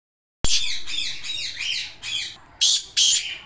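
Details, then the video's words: Black francolin calling in the morning: a quick run of harsh, grating notes, about five in little more than a second, followed by two loud rasping bursts near the end. "Kala Teetar Morning Voice Sound"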